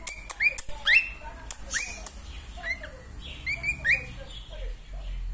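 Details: Female cockatiel singing, short rising whistles and chirps repeated at irregular intervals, with soft clicks and a steady low background hum.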